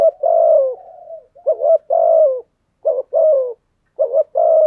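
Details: Spotted dove giving thúc gù cooing, a set song style that provokes wild doves to coo back: four soft, rolling double coo phrases, each ending with a slightly lower drawn-out note, separated by brief silences.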